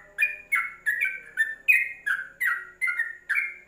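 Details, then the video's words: Yellow-vented bulbul tutor song for caged birds, a quick series of rich, slurred whistles about two per second, each note falling at its end, forming a cheerful chattering phrase. "Masteran Trucuk dalam krojong"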